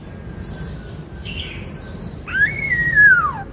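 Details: White-cheeked laughingthrush song in the 'bắt cô trói cột' style: a few faint, high, hissy notes, then one loud, clear whistle that jumps up and slides slowly downward.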